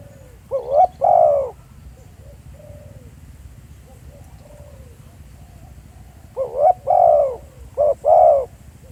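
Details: Spotted dove at Pha Sing, recorded live on site as decoy calling: two loud bursts of hoarse cooing, each a quick pair of short notes leading into a longer falling coo, separated by a pause with soft distant coos.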